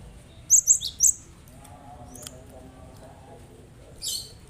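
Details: Cinereous tit song played to stir silent birds into singing; four rapid high whistled notes early on, then a quiet stretch and one last high chirp.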